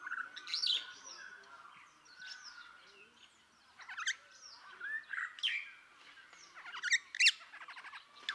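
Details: Rüppell's starling (Lamprotornis purpuroptera) in Kenya giving a jumble of harsh chattering notes and squeaky whistles, irregular and mostly high-pitched, over a steady faint hum.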